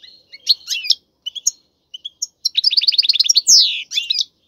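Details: Caged male European goldfinch in strong courtship song aimed at prompting a female to breed: scattered chirps build into a fast rolling trill, followed by a loud descending buzzy note.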